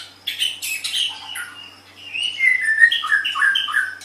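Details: Shama song for training other cage birds: scratchy high notes at first, then a run of clear, sliding whistled notes repeated about three times a second, with a low hum in the background.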